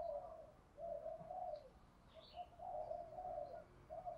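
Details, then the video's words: Low hollow coos from a spotted dove singing in the 'thổ pha đồng' style, phrased in short bursts and longer rolling notes with brief pauses between, with light distant chirping. "cu gáy giọng thổ pha đồng"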